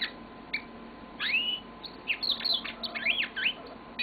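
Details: Yellow-fronted canary kept as a pet, singing: a few isolated chirps, then a long upslurred whistle and a tumbling run of rising and falling twittered notes, clear and high, with steady background hum.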